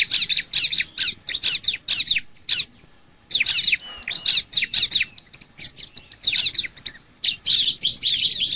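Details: Bar-winged prinia; song; lure to prompt other prinias to sing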